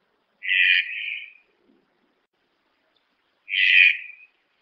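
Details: Red-breasted toucan: two harsh, buzzy, grating notes about three seconds apart, the first nearly a second long and fading at its tail, against a clean, silent background.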